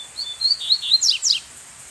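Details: Wild brown-plumaged double-collared seedeater perched high in another seedeater's territory, singing back at a caged decoy bird with a whistled song: quick run of clear, slightly wavering whistles closed by two steep downward-sliding notes, in quiet surroundings.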